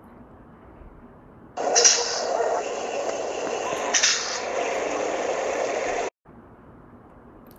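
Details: A burst of steady hissing, spray-like noise over a faint low background hum, with no animal voice.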